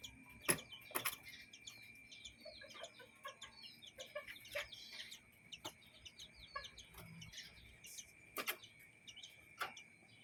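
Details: Chickens and chicks roaming a yard and coop, soft low clucks and a steady patter of high chick peeps, broken by several sharp knocking sounds.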